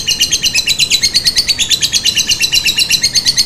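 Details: Lovebird calling as a lure to draw answers from other lovebirds: quick, scratchy, high-pitched chatter pulses repeated about three per second without pause.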